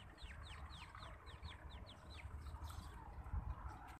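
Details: Young partridge chicks giving a run of high descending peeps, about eight in two seconds, then quieter rustling and a low background hum.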